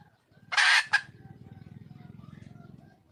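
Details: Red junglefowl hen, wild, calling to draw a male: a single long harsh squawk with a short clipped note after it, then a steady low pulsing drone.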